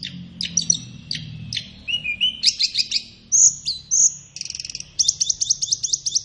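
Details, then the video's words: Flowerpecker (tledekan) song for tutoring caged birds: varied high chips, two bright level whistles, then a quick buzzing trill and a final rapid stuttering series of high notes. "Masteran Terbaik Tledekan"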